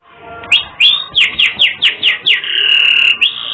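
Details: Canary singing with distinctive phrasing, meant as a master recording for songbirds: about eight loud downward-swooping notes in quick succession, followed by a long steady buzzy trill and a final rising whistle.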